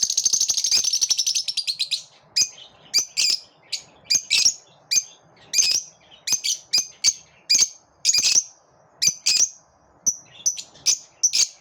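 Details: Lovebirds singing in chorus: a rapid buzzy trill, then a long series of sharp, shrill squeaks spaced about half a second apart.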